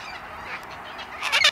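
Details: In Tasmania in Jan/Feb 2020, a sulphur-crested cockatoo (Cacatua galerita) gives one loud, harsh, grating screech near the end, over a steady background hiss.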